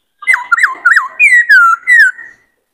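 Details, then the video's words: Three looping whistled notes followed by long sliding whistles: a caged male White-cheeked laughingthrush singing many-voiced phrases while excited by another bird. "Khướu bạc má hót nhiều giọng hay"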